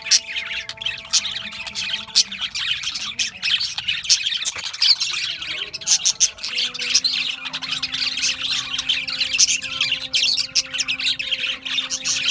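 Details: A flock of Australian budgies chirping: constant dense, scratchy chatter with frequent sharp squawks, a steady low drone underneath.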